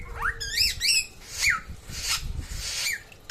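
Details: Samyong from NTB singing actively: a few bright, upward-slurred notes, then harsh breathy rasps and a final short whistle, with low background rumble.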